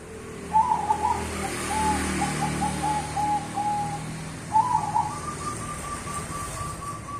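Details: Zebra dove of the cemani bangkok type in active song, played to lure other birds into answering: a burbling trilled coo followed by a level drawn-out note, repeated once, over a constant low hum.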